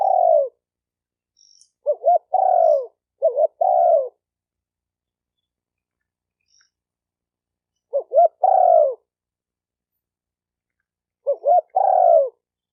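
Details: Spotted dove lure call for stimulating males, females and decoy birds. Repeated phrases of short, choppy notes running into a sustained falling coo, separated by irregular silent gaps. There is no other sound.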